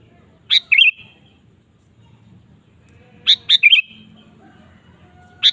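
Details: Sooty-headed bulbul singing vigorously, played as a lure to draw song from other kept bulbuls: short phrases of a sharp high note then bubbly, slurred whistles, heard twice with a third beginning at the end; faint low background rumble.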